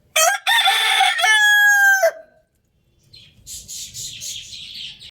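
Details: Adorable rooster crowing loudly, one powerful raspy cock-a-doodle-doo ending in a long, steady held note, then a brief pause and a softer hissing, breathy sound.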